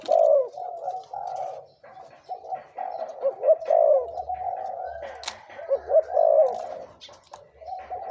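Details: A 2–3-year-old spotted dove used as a decoy coos in nearly continuous low, warbling phrases with several louder accented notes.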